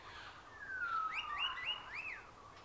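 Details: A macaw at Safari Park San Diego gives a long, falling whistle, then three quick, arched whistled notes rising and dropping in pitch, over a low steady background hiss.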